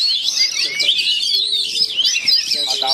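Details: Caged Oriental magpie-robins fighting cage-to-cage, giving aggressive calls: a fast, unbroken tangle of high whistles, chirps and scratchy notes sliding up and down, with a low voice-like sound near the end.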